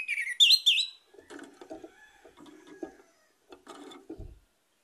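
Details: Orange-headed thrush lure song, used to prompt other birds into singing: a loud burst of whistled, slurred notes with rising squeaks in the first second, then soft low scraping and knocking sounds.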